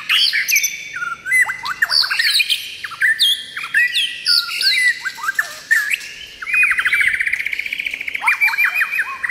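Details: White-rumped shama singing a rich, rapid medley of high whistles, chirps and sharp slurred notes, ending in a fast rattling trill series with more whistles.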